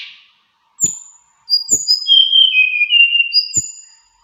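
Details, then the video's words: Mountain flowerpecker with a varied, sweet song: thin high whistles sliding and overlapping downward over about two and a half seconds, preceded by a brief note and soft taps. "TLEDEKAN GUNUNG SUARA BERVARIASI MERDU"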